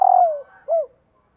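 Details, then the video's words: Spotted dove female calling to excite males: a long, low coo sinking in pitch, then one short rounded coo. "CU GÁY MÁI KÍCH TRỐNG"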